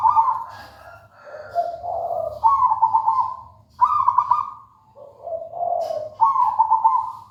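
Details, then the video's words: Local wild zebra dove (perkutut) singing continuously, purring trilled coos alternating between a higher and a lower pitch in quick succession, loud and clear, over a faint low hum. "Suara merdu perkutut lokal alam gacor"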